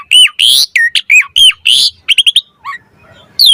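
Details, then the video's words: Asian pied starling in a mompa variation song, used to train and attract starlings. A burst of loud whistled and buzzy notes, a quick stutter of short chips, then a pause before another note. "Suara Jalak Suren Mompa Variasi AMPUH Buat Masteran & Pancingan Burung Jalak Agar Full Gacor Isian"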